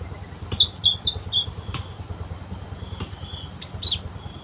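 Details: Wild cinereous tit, recorded as a trapping lure: a run of five or six high, slurred whistled notes, then a pause and a shorter two-note phrase, with a steady insect buzz and occasional clicks behind.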